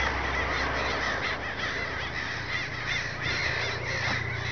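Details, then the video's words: Crows massing in Oceanside at night at this time of year: a dense chorus of many overlapping calls forming a steady wash of sound, with no single bird standing out, plus low background rumble. "Black Birds/Crows massing in Oceanside"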